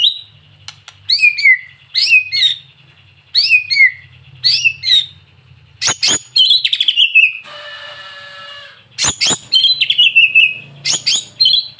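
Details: White-rumped shama (murai batu) singing actively in a lure-song recording meant to provoke other shamas; loud clear whistled phrases with downward-sweeping notes, repeated in bursts, a buzzy rattling passage midway, then more sharp whistles.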